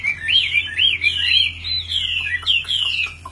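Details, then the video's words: A pure, tame Chinese hwamei, described as a good fighting bird that sings loudly anywhere even when hand-carried or its cage is shaken, pours out a loud, rich song of looping, slurred whistles rising and falling rapidly in a continuous run, over a faint low hum. "hót hét mọi địa hình"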